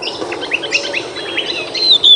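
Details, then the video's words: Pied Bushchat, known locally as kacer mini or decu, a small black-and-white bird recorded on 21 June 2021. It gives short, clear, high whistled chirps and a few brief rising notes, ending in two louder drawn-out whistles. "Tubuhnya yang mungil tidak jadi penghalang suara kristal lantangnya."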